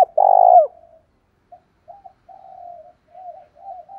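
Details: Spotted dove lure call, loud voice meant to provoke rival males to fight: one strong hoarse low coo, then a series of soft, short, low cooing notes trailing off.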